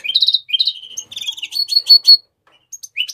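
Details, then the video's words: A Mexican rosefinch delivers a brief song burst of buzzy rising notes and staccato high chips, ending with a few scattered upslurred calls. "تغريد طائر الروزلان المكسيكي (تغريد أصلي)"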